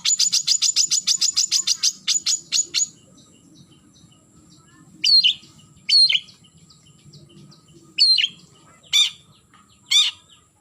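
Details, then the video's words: Long-tailed shrike calling a rival: a fast rattling burst of clipped notes, a pause, then scattered sharp downslurred whistles and harsh rasps. "Suara Burung Cendet Memanggil Lawan"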